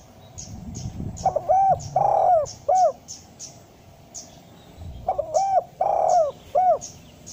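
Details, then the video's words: Spotted dove calling, recorded to encourage idle doves to call: two similar phrases of brief coos, a long purring coo and a final slurred coo, about four seconds apart, over steady high chirping from small birds. "suara panggilan derkuku malas bunyi agar menjadi gacor"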